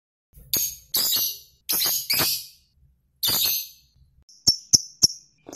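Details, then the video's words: Lovebird fighting call, used to provoke other lovebirds into responding and singing longer: harsh, loud, very high grating bursts in four long blasts, then three short sharp clicking chips. "Suara Lovebird Petarung, Pancingan Lovebird Agar Gacor Lama"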